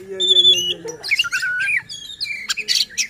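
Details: Short stretch of oriental magpie-robin song used to provoke other birds: a held whistle and a low voice at first, then twisting whistled slides and buzzy chirps.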